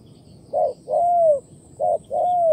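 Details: Wild spotted dove cooing after leaping from grass near a trapper's decoy in Vietnam: paired hooting notes, each short coo followed by a longer note that slides gently downward, repeated twice, in quiet countryside.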